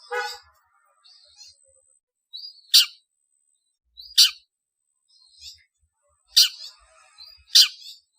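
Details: Lure call of a long-tailed shrike to bring birds together: loud, harsh, raspy shrieks about every one to two seconds, between them softer scratchy and nasal chatter notes.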